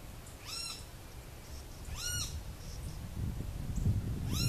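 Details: Altamira oriole feeding on an orange in Cameron County, Texas, February: a harsh chattering call with upswept harmonic notes, given twice about 1.5 seconds apart, over low rumbling traffic noise.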